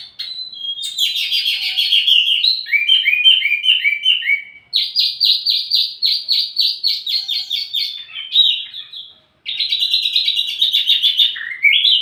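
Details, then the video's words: Lure and master song of a Wambi mini for training tledekan birds: varied phrases of rapid trills and stuttering chirps, separated by short pauses. "wambi mini burung pancingan sekaligus masteran buat tledekan anda"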